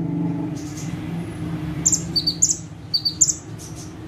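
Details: Bar-winged prinia, known as ciblek or prenjak tebu, perched in one spot and singing actively; after a quiet, noisy start, rapid high ticking chirps arrive in paired and tripled bursts through the second half.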